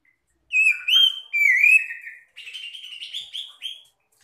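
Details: Magpie-robins calling and answering each other to prompt quiet, stressed birds to sing: clear rising and falling whistles, then a rapid series of short warbled notes.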